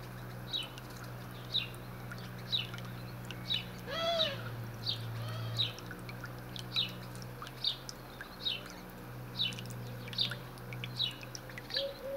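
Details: A captive white-rumped shama in a Dutch aviary, singing while foraging, gives short, bright, high notes about once a second, with one harsher, nasal note midway, over a steady low hum.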